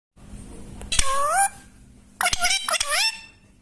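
A parrot gives a harsh, nasal squawk that bends down and up, then a quick pair of grating, rising-and-falling calls a second later, over a low indoor hum.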